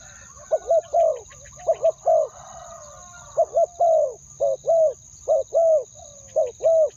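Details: Decoy spotted dove calling to lure wild doves, a two-word 'ku-ang' crowing style: low, hollow coos in quick pairs and longer drawn notes, repeated in bursts about every second, with a steady thin high whine behind.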